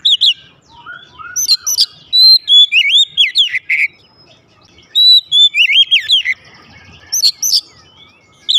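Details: Oriental magpie-robin kept at home, answering at once in loud full song: varied whistled phrases, slurred rising and falling notes between 2 and 4k, mixed with sharp high chips, in bursts separated by short pauses.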